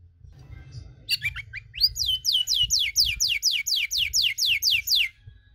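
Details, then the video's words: Domestic canary in long cengkok song used to provoke rival canaries; a few sharp chirps open into a steady series of bright downward-sweeping whistles, roughly four a second, over faint low rumble. "KENARI CENGKOK DURASI PANJANG!! AUTO MANCING EMOSI KENARI LAIN"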